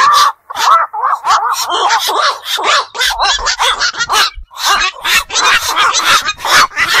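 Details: Black-crowned night herons calling after dark at ponds or wetlands: rapid, harsh, yelping squawks with nasal bent tones, many run together, with a low background hum partway through.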